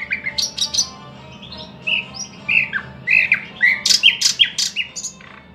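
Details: Rich, varied thrush nightingale song mixing buzzy bursts, slurred whistles and clipped chirps in quick succession, with short phrases repeated at an uneven pace and loud sharp notes clustered toward the end.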